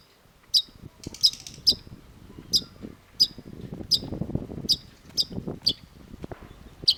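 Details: Long-tailed shrike giving sharp, high, clipped notes spaced roughly every half to one second, set against a low rumbling, murmuring background.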